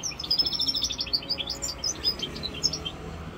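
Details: Twittering song of a goldfinch mule hybrid aged five months: rapid high chirps and short buzzy trills running without pause over a faint background hum.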